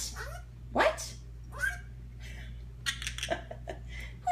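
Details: A 22-year-old pet male Senegal parrot talks to its owner in short, scratchy, speech-like bursts, some squeaky and rising, spaced about a second apart over a low steady hum.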